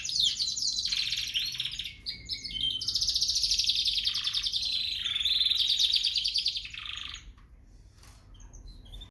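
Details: Singing canaries from Peshawar, gray frill back versus yellow: a dense, high, continuous warbling song of rapid buzzy trills and rolling chatter, loud and sustained for about seven seconds before fading into softer twittering.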